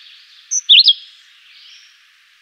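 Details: Chivi vireo (juruviara) voicing one short melodious whistled phrase of quick rising and falling slurs, followed by a pause and the start of the next phrase.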